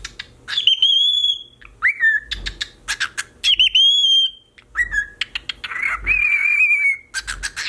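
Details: A male cockatiel whistles in clear, high tones, copying the rising and falling pattern of a car alarm.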